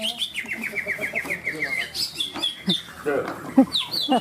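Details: Greater green leafbird singing at a songbird competition in Ronggolawe, Malinau, North Kalimantan: a rapid run of short, even chirps about five per second, then varied sharp whistled notes, with people's voices in the background.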